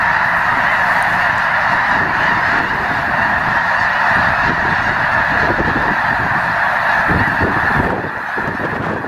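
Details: Wintering Snow Geese massed at Loess Bluffs National Wildlife Refuge on a fine 21 February 2020 day: a dense, steady honking roar that eases a little near the end.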